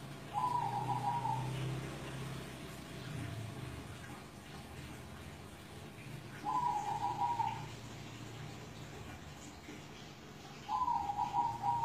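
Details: Zebra dove (perkutut) over seven years old, recorded at a house in Kudus; three short, rapidly stuttering coo phrases of about a second each, spaced four to six seconds apart, over a steady low background hum.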